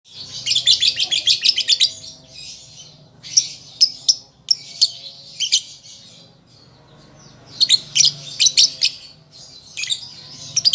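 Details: Young lovebird learning to sing, played as a lure recording for other cage birds: bursts of rapid, harsh, high chirps in fast stuttering trills, separated by short pauses, with a faint low hum underneath.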